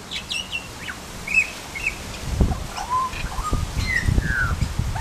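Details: Butcherbird uttering short whistled notes at varied pitches, including high slurred chirps and lower level whistles, spaced irregularly over low rumbling background noise.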